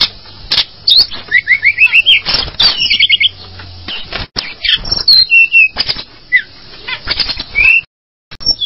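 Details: Calls of the tledekan gunung, a mountain flycatcher: quick rising chirp series, buzzy trills and scattered sharp notes with pauses, over rustling and a faint low hum, ending in near silence.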